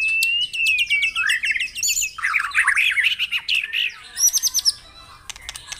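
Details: Morning stimulation recording of White-rumped shama song for caged birds: a clear sustained whistle opens, then rapid warbled notes, a scratchy jumble and a short burst of very high ticking trills.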